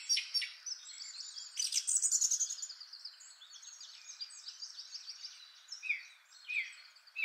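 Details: Song of a male song thrush, the first of three males compared, rich with long complex phrases: rapid, varied bright whistles, chirrups and sharp notes, high-pitched and continuous with little pause. Song thrush.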